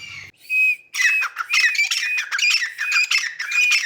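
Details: A grey francolin playing in mud gives loud, harsh, ringing calls in rapid bursts, roughly two a second, with a shrill whistled edge; nothing else intrudes.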